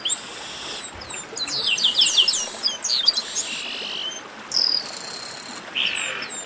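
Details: A 'baderna' of chestnut-capped blackbirds: dense high chips and sharp whistled upslurs crowding together, broken by raspy buzzes, calling softening near the middle before short whistles and a final buzz.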